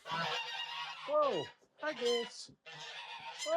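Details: Farm domestic geese being fed on a homestead give loud, nasal, harsh honks in overlapping bursts, roughly one a second, some sliding downward in pitch; a man's voice is heard briefly.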